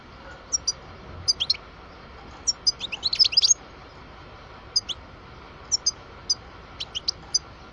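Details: Parva European goldfinch aged 12 giving spaced high chirps that gather into a fast twittering cluster midway, then return to single and paired notes.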